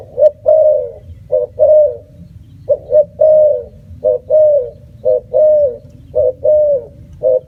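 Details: Spotted dove repeating its cooing phrase steadily, short paired coos then a longer sustained coo, about six phrases in a row with brief pauses, over a low background hum.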